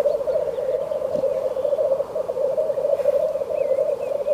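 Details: Unbroken low bubbling from black grouse amid frost, a dense warbling coo throughout, with a faint thin wavering call near the end.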